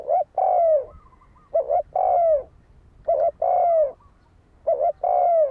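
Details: Decoy spotted dove, kept to provoke wild doves to fight, cooing in a steady rhythm: four phrases, each a short double note and then a long, smooth, dropping coo, about every one and a half seconds.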